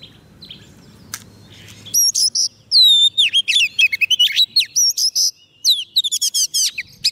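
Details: White-rumped shama singing to lure wild birds: after a brief click and low hum, a fast varied stream of high whistles, slurred downward notes and rapid trills continues without pause.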